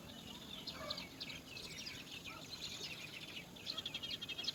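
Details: Three roller chicks in a nest hole waiting for their mother to return from foraging give harsh, raspy, chattering begging calls in rapid overlapping bursts, rising to a busier chorus near the end.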